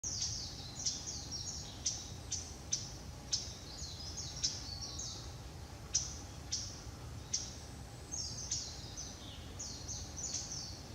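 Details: Japanese bush warbler calling in November, the bird unseen and recorded on a Nikon COOLPIX P900: short dry tchak notes repeated roughly every half second to second, with soft chirps between and a steady low rumble of background noise.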